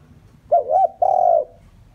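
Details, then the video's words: Decoy spotted dove cooing to draw wild doves near: a two-note wavering opening and a long held coo of about half a second, mellow and clear over faint low background noise. "chim cu gáy mồi chuẩn gáy gọi kích bổi nhanh nổi hiệu quả"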